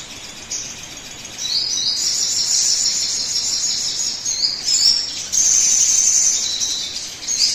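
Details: Lure recording of a sogon singing to coax other birds into song: sustained, very high, fast chattering trills with stepped pitch shifts and quick repeated notes, continuing almost throughout.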